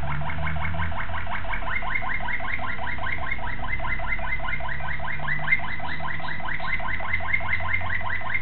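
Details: Young Malinois Waterslager canary from 2009 singing a steady run of rapid, liquid repeated notes, even rolling trills pulsing several times a second throughout, with a low background hum.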